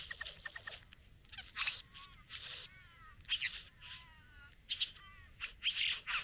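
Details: Satin bowerbird courting a female at the bower: a jumble of buzzy bursts mixed with whirring, wavering notes that slide up and down, and a few sharp clicks, delivered in irregular bouts.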